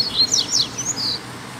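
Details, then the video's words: Free black Double-collared seedeater delivering a 'mexida' song, heard returning home after a Sunday outing: a rapid burst of bright, high, downslurred whistles ending in a level sustained note, then quiet hum. "Mexida com Coleiro Preto Solto"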